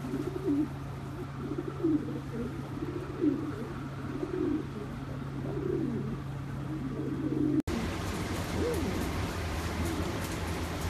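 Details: Oriental Frill pigeons of the blondinette, satinette and seraphim varieties cooing: low, soft, rolling coos repeated every second or two over a steady electrical hum, with a sudden cut partway through.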